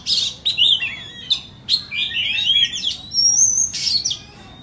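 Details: Varied song from a white-rumped shama (chích chòe than bông), with rapid chattering phrases, looping slurred whistles, and a sustained high warbled note in quick separate bursts.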